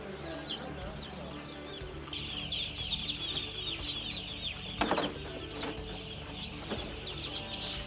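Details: A flock of broiler chicks peeping, starting sparse and swelling into a continuous chorus of shrill overlapping cheeps, with a brief thump near the middle and a low steady hum behind.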